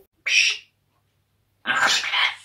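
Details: A talking grey parrot swearing at its owner utters two harsh, speech-like phrases: a short clipped word, then after a second's pause a longer raspy burst of mimicked talk.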